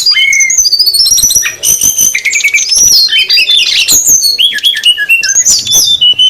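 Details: Brown-chested jungle flycatcher, female and male together, noisy lure recording for attracting wild birds: dense overlapping high whistles, sharp chirps and rising and falling slurred notes, with rapid scratchy bursts throughout.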